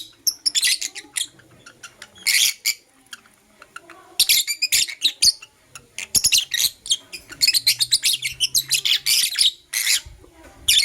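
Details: Blue opaline lovebird singing in the morning: dense bursts of sharp, high, scratchy chirps and squeaky twitters, coming in quick clusters with brief pauses, continuous and lively through the whole stretch.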